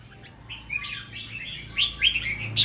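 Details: Red-whiskered bulbul, 'bông' variety, caged in a Vietnamese singing-competition rack, gives short sweet whistled notes that grow into louder, sharper chirps toward the end, over a low background hum.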